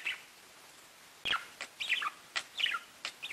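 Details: Pet budgerigars giving short, sharp chirps at irregular intervals, some rising and falling quickly, separated by brief quiet gaps, with a few abrupt clicks or knocks between calls.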